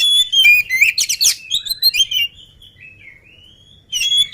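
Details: Energetic oriental magpie-robin singing hard before feeding: dense scratchy trills and high whistles at first, then a softer drawn-out wavering whistle, and a loud burst again at the end.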